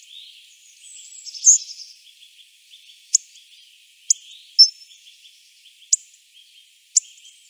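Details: Hawfinch uttering short, sharp tick calls every second or so, alongside a brief whistled phrase and soft, continuous high chirping from other birds nearby.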